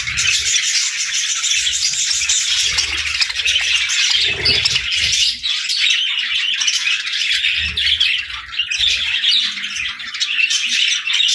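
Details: Morning feeding time in a budgerigar group: steady, dense twittering and buzzy chatter from many birds without a break, with soft low bumps underneath.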